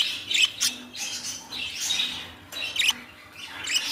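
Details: Pet budgerigar chicks making harsh squawks and scratchy chirps in quick bursts, several overlapping calls within a few seconds, against a low steady hum.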